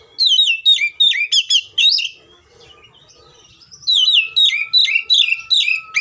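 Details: Agitated fighting song of an Oriental magpie-robin, used as a lure to make other magpie-robins sing: quick bursts of loud swooping whistles, a quiet gap with a thin sustained whistle, then another fast volley of phrases.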